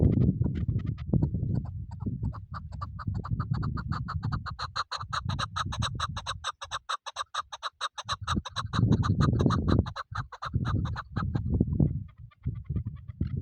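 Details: Chukar partridge used for hunting calls in a long, rapid series of short clucking chuk notes. The series builds and holds steady for several seconds over a constant low rumble of background noise, then fades.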